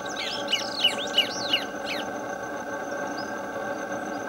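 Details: Orange-breasted Thornbird (Phacellodomus ferrugineigula) calling at Potreiro, Rio Piracicaba, Minas Gerais, Brazil: a quick run of about five squeaky, chattering notes, roughly three per second, then stopping, over a steady insect-like drone.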